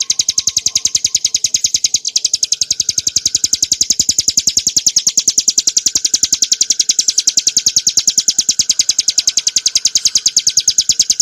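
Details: Continuous high, piercing trill of repeated sharp notes from a Bar-winged prinia (Prinia familiaris montana), a clear 'ngebren nembak' song played as a tutor and lure for cage birds.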